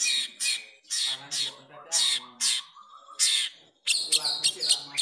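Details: Long-tailed shrike singing with a learned song of the sooty-headed bulbul, a captive bird performing: harsh buzzy bursts with bright high notes, broken by short pauses, ending in a quick run of sharp chirps.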